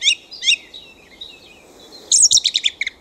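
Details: A thrush singing in a back garden at night: two matching bright phrases, then soft warbling, then a quick burst of six or seven loud, ringing notes.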